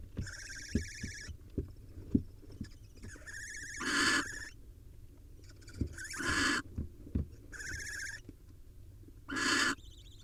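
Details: Barn owl at a wild nest, the male bringing a nestling swallow as prey: repeated harsh hissing screeches in bursts about every one to three seconds, some rougher and broader than others, with scraping and knocking in between.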